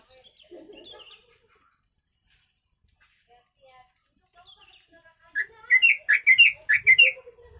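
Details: Yellow-vented bulbul with a song filled with sooty-headed bulbul (kutilang) phrases, meant for tutoring other birds: faint scattered chirps at first, then after a pause a burst of six loud, bubbly, warbled phrases in quick succession.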